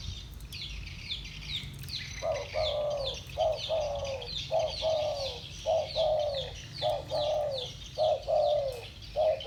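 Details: Two spotted doves with the 'thổ bầu' voice style calling against each other: low hollow paired coos, a short note then a longer falling one, repeated about once a second after a quiet start, with high chirps of other birds behind.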